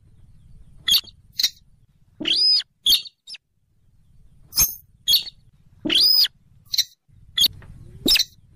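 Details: Rail lure calls, used by trappers to draw in the bird: sharp clicking ticks mixed with harsh, arched squealing notes in uneven bursts, with faint low hum between calls.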